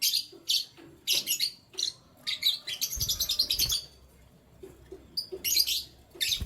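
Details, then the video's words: Canaries chirping in the morning: rapid runs of high, bright twittering notes in dense bursts, some tumbling together into a busy chatter, with a few dull low thumps underneath. "Canary Chirping Sounds"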